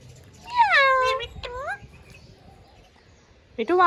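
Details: Pet green rose-ringed parakeet imitating Urdu/Hindi speech, producing drawn-out, nasal, falling and rising vocal phrases with a short word-like burst, then a clipped note at the end.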